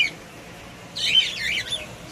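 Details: Pet cockatiel kept indoors letting out a short burst of scratchy, chattering squawks after quiet room noise.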